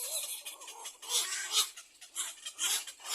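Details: Nestling little egrets begging to be fed by their mother: loud, rasping, squealing bursts repeated irregularly about every second or two, with faint lower tonal squeaks beneath.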